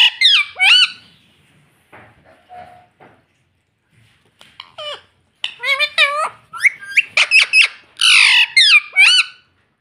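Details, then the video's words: Pet parrot talking indoors, saying "mummy" and "papa": a string of high, squeaky, speech-like syllables in short bursts, the words running together, with a quieter pause in the middle of the sequence. "Parrot talking papa || mummy bolne wala tota"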